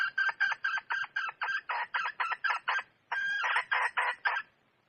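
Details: Red junglefowl hen, wild, giving a fast train of loud, harsh cackling pulses about four per second, a brief rasping note, then a few more cackles fading out.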